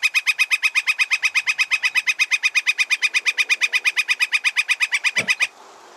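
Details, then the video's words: Northern Flicker playback recording of a characteristic call: a long, fast, even series of loud, sharp 'wick' notes, about seven per second, that stops abruptly near the end. "I ran them together accidentally, but those are both characteristic northern flicker vocalizations."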